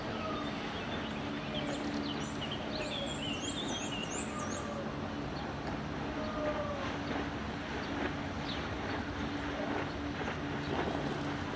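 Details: Little stint in Ljubljana (Špica), Slovenia, 9 May 2022, giving thin, very high, short 'stit' calls in quick bursts over the first few seconds, over a steady low mechanical rumble like a passing train.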